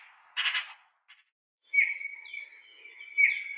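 A bullfinch gives a soft, drawn-out piping whistle, steady in pitch and lasting about two seconds. A brief hissy burst comes just before it.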